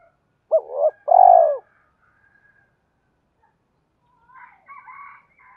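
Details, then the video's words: Decoy spotted dove cooing to draw in wild doves, 'hai hậu ròng' style: a brief rising-falling coo, then a sustained, slightly falling low coo. Soft twittering from small birds follows after a pause. "Tiếng chim cu gáy mồi gáy gọi bổi hai hậu ròng"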